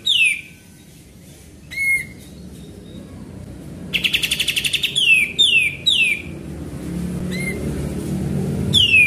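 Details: Lure recording of a chatty sooty-headed bulbul: clear descending whistled notes with gaps between, a short buzzy rattling burst in the middle, then more rapid falling whistles.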